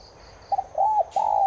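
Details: Spotted dove, Streptopelia chinensis tigrina, played to stir caged birds into cooing; a brief stuttered note, an arched coo and a long falling coo cut off at the end, with faint high chirps earlier.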